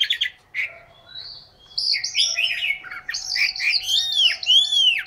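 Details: Chinese hwamei, a caged bird in Hanoi, Vietnam, gives a varied song of slurred whistles and short warbled phrases after a brief pause, ending in loud arching rising-and-falling whistles; faint constant hum underneath.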